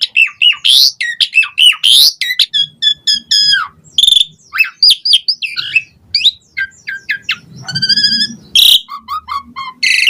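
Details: Varied, energetic song of an Asian pied starling, used to prompt other birds to sing: fast mixes of sharp chirps, clicks, slurred whistles and short trills, with a buzzy burst near eight seconds and faint low background rumble.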